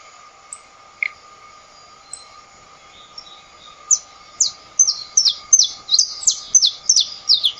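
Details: Saffron finch singing: after a few scattered notes, a fast series of high, sharp, down-slurred chirps repeated several times per second over a steady low electrical hum.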